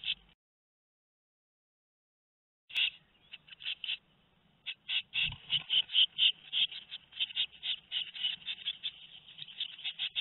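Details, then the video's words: Tit nestlings aged two weeks, in a nest at Théding in France on 13 May 2019: after a brief silence, a swelling chorus of high, rasping begging calls repeats in quick bursts, with a short low thump midway. "Les oisillons ont 2 semaines"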